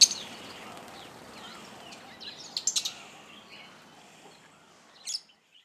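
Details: Fischer's lovebirds at a Kenyan feeder near Lake Elementaita, many of them hybrids with yellow-collared lovebirds. Scattered thin twitters lead to a quick trio of sharp chirps midway, then one final shrill note before quiet.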